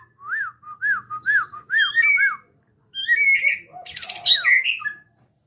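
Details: Murai batu, white-rumped shama, at Cipinang Muara: a run of five arched, looping whistles repeated about every half second, then a short gap and a varied phrase with a harsh rasping burst and sliding whistles.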